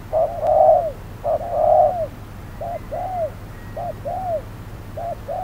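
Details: Decoy spotted dove calling during trapping on a hot noon, a clever wild dove present; repeated two-part coos, a short note then an arching longer one, loud at first and softer later, with a faint high whistle.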